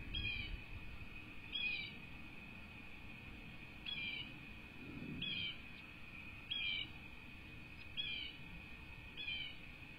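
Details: Two bald eagle nestlings in Southwest Florida, USA, on a cattle ranch nest, 5-2-24: repeated thin, high, downward-slurred chirps every second or two, over a constant electronic hum with low wind-like rumble.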